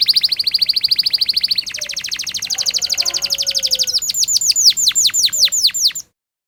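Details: Canary long rolling 'gacor' song as a trainer for young birds: fast high trills changing pitch twice, then loud sweeping downslurred notes before a sudden stop.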